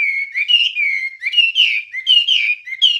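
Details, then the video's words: Wambie song on a recording for training songbirds: loud, smooth, warbled whistles that bend up and down in quick linked phrases, about one bend per second, with no pause. "Ocehan Suara Burung Wambie"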